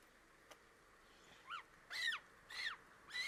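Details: African penguin chicks at the nest on a live camera, calls unlike the adults' donkey-like bray: a faint short note, then a series of arched, nasal cries about every half second over steady background hum.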